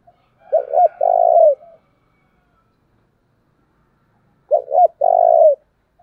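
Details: Spotted dove used as a decoy bird to provoke wild doves, calling in the driving 'thúc' style: two phrases about four seconds apart, each two short clipped coos followed by a long, low, level coo that falls at the end.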